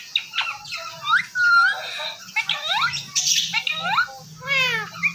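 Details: Talking Indian ringneck parakeet speaking Urdu/Hindi: quick, rasping word-like phrases with rising and falling inflections, broken by squawky notes, over a low background hum.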